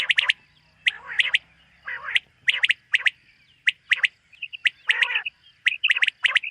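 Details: Common quail in a summer meadow at morning, giving sharp clicking strokes in pairs and triplets with rougher grating bursts between them, a faint steady hum underneath.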